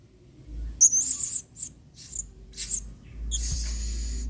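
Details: Blue-crowned hanging parrot (serindit) recorded as a model song for training other birds. Scattered very high, thin, shrill notes come in short bursts with gaps between, then a hiss of broadband noise.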